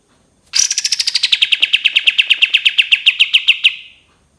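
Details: Tutor recording of a cream-vented bulbul's long 'tembakan' trill: a shrill start drops into a fast, even chain of about twenty-five clicking notes lasting some three seconds, then silence.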